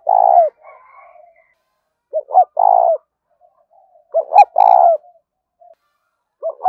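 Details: Luring call of a spotted dove ringing across a field: repeated phrases of two short rising notes and a drawn-out coo, about every two seconds, with soft murmurs and a faint click between.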